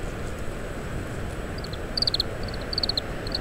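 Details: Oriental greenfinch feeding on summer camellia seeds gives short bursts of crisp, high rapid notes in small groups, picked up with a parabolic microphone over a steady blustery wind.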